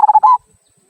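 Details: Zebra dove of local stock with its kung song, used to set other birds singing: three quick pulsed coos followed by a slightly longer wavering note, then silence.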